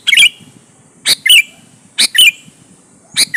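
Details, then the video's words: Energetic sooty-headed bulbul song intended to challenge and lure rivals: three crisp two-part phrases about a second apart, a high clipped note leading into a burry falling-rising whistle, then a lone note. "suara burung KUTILANG GACOR MENEKAN LAWAN"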